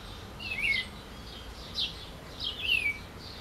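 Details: Green-winged saltator song: a few crisp, descending whistles, the last one drawn out, set against constant high-pitched chirping from surrounding birds and a low rural hum.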